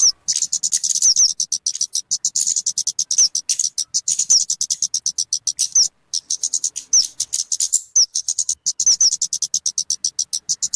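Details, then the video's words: Talokan (kemade) bird calling, a recording meant for luring birds or tutoring songbirds: fast, dense run of high, sharp ticking chips, about eight per second, with occasional thin downslurred whistles; a brief pause near six seconds. "SUARA BURUNG TALOKAN/KEMADE"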